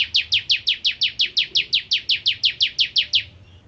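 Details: Rapid, regular song of a bar-winged prinia: around seventeen high, sharp notes each dropping in pitch, delivered about five per second in one continuous burst before stopping.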